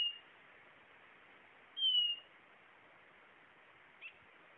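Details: Blue-naped chlorophonia singing: a single clear, thin whistle that slides downward, preceded by a faint similar note and followed by a brief soft chip, over a steady hiss.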